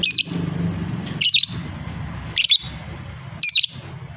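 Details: Fighter lovebird's long chatter as four harsh, high, squawky bursts roughly once a second, each a tight cluster of shrill notes, with low background hum between them.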